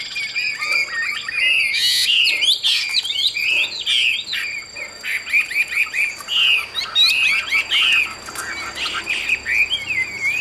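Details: Energetic song of a caged Chinese hwamei in Vietnam, fit for fighting or singing: dense bursts of fast whistled and chattering notes separated by brief pauses, with scattered clicks and a steady background tone.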